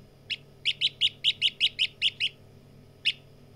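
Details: A partridge chick gives a fast run of nine high, sharp peeps at about five per second, then a pause and one more peep, over a quiet low background hum.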